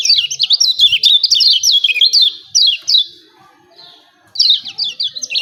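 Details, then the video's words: Lemon-bellied white-eye chattering "ciak ciak", a lure sound to provoke singing. About three seconds of rapid, high zigzag chirps fade out, a soft whistle follows, then the chirping resumes. "CIAK CIAK JOSS KECIAL KUNING AMPUH‼️PANCING JOS MASTERAN BIKIN GACOR."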